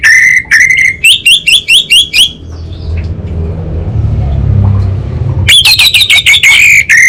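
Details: Orange-headed thrush stuttering in 'kabel konslet' song: a run of quick buzzy notes, a three-second pause filled with low hum, then another fast, rising and falling rattle.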